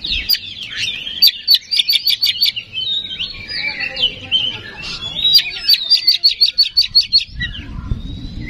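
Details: Oriental magpie-robin song used as a lure to provoke singing: rapid runs of sharp high chirps and whistles, bursts of clipped repeated notes, with low rumbling background noise toward the end.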